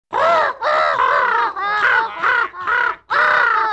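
A flock of gannets gives harsh, grating squawks in overlapping bursts, about six in four seconds, with barely a pause between them.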